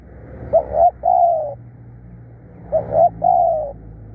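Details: Spotted dove, a kept decoy bird described as fierce and persistent in calling, giving two phrases of low mellow coos: two quick clipped notes, then a long drawn, slightly falling coo, about two seconds apart. Faint low hum underneath.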